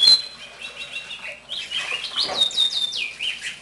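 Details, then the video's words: Captive one-year-old house finch, taken from the nest as a chick, singing: a fast run of high warbled notes with sliding, descending slurs, while a young brown-backed solitaire warbles in the background. "Gorrion Cantando Carpodacus Mexicanus Singing"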